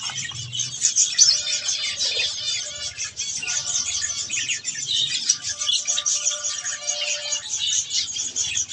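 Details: Dense, continuous high-pitched twittering and scratchy warbles from budgerigars at softfood, a steady chorus with a few short tonal whistles in the background.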